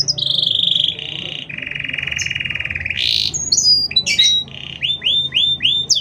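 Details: Long gacor canary song with tight pauses, used as a tutor or to provoke other canaries: a sustained ringing trill, then a lower buzzy roll, sharp whistled notes and a series of quick repeated upswept chips.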